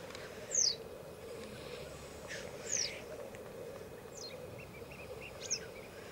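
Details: Black grouse lek at Elverum in 2008, with 38 cocks attending: a steady low bubbling chorus runs underneath, and loud, sharp, high descending whistles recur with a few short hissing bursts.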